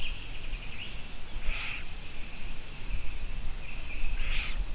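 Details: Eurasian eagle-owl on a live camera broadcast, 17 June 2017 at 12:14; two short, hoarse, rasping bursts about two and a half seconds apart, each trailing into a faint hiss, over steady low rumbling background noise.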